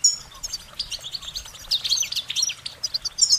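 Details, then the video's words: Goldfinches singing a continuous, cheerful twittering song of short, high, warbling notes and quick buzzy trills, packed densely and rising and falling in rapid bursts throughout. "Goldfinch Singing their Song"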